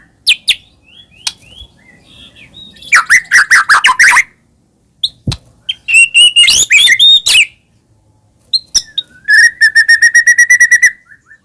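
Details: White-rumped shama singing as a lure to make caged birds answer. Varied song with scattered short whistles, harsh chattering bursts, and a fast trill of evenly repeated notes near the end, separated by short silences.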